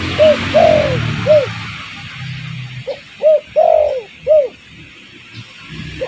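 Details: Lure recording of a spotted dove for attracting wild birds: two clear phrases of hollow, low coos, short notes then a longer falling one, separated by a brief pause with faint rumble.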